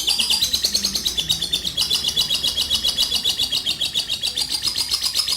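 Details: Lovebird in long ngekek song used to lure other birds, an unbroken high chattering trill of quick pulsed squeaky notes holding steady throughout, with faint low indoor background noise.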